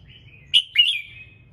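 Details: Red-whiskered bulbul singing in the morning, to spur other birds into song: a soft thin whistle leads into two strong liquid notes, the second dipping then rising and fading out, against a low background hum.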